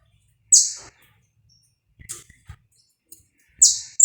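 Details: Saffron finch, recorded live without cuts to warm up and stir other saffron finches: two loud, sharp, high notes sliding downward about three seconds apart, with faint soft chirps and a few low clicks between them.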